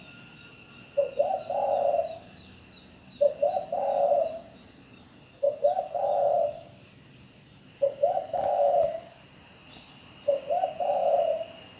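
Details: Spotted dove in Bảo Lộc, Lâm Đồng, Vietnam, giving five low cooing phrases about every two to three seconds. Each has quick stuttering notes that run into a drawn-out, throaty coo. A steady high hiss sits behind.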